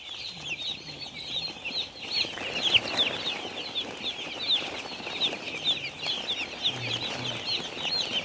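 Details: High, piercing peeps from many baby chicks on a farm, steady overlapping chirping that swells after two seconds, with faint low hums in the background.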